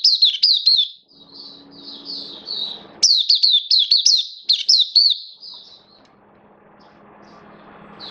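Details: Hobby oriental white-eye, 11 September 2022, form dipped slightly, delivers bursts of rapid shrill slurred chirps separated by softer drawn-out twittering, with a faint steady low hum in the room.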